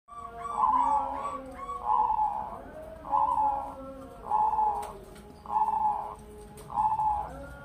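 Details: Two-year-old caged crossing zebra dove, a Bangkok × local hybrid that is tame around people and has the big, bassy voice typical of the cross. It gives six steady, drawn coo phrases about every second and a quarter, with soft tonal background sounds.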